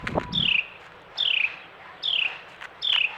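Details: Carolina wren, a male, visiting a feeder in snow during the year's first winter storm. Four clear down-slurred whistled phrases, each falling steeply in pitch, come roughly every 0.8 seconds, with a soft thump at the start.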